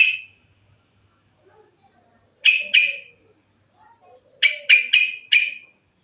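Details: Natural varied rolling song of a yellow-vented bulbul, used as a lure: a single bright chirp, a pair of chips, then a run of four sharp, evenly spaced chips, with a faint soft warble between.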